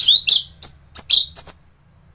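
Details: Training song of an orange-headed thrush for other birds: about seven sharp, high whistled chirps delivered in a quick, uneven series.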